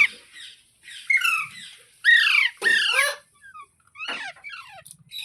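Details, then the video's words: Green parrot said to talk gives a burst of loud, harsh squawks in quick succession in the middle, followed by softer, scattered squeaky notes. "Green Parrot Talking | Funny Parrot Sounds Videos | मिट्ठू की आवाज़ | तोते की आवाज़"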